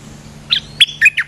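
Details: Streak-eared bulbul, a big, well-built local resident bird, coming down in response to a lure call; four short, bright chirped notes burst out within under a second, the second sharpest, over a faint steady low hum.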